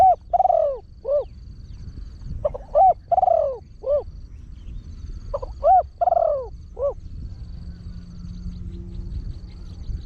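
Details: Trained spotted dove with a deep 'big' voice, used to lure wild birds, cooing in a fast style with one tossed 'kuk' note. Three cooing phrases of low hooting notes and a drawn-out falling coo, about every three seconds, over a faint high steady whine.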